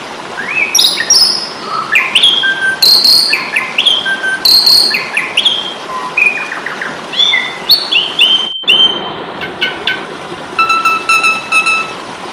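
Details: Asian pied starling with an energetic fighting song used to train songbirds: a long sequence of loud whistles, rising slurs and harsh chatters, ending with rattling buzzy bursts.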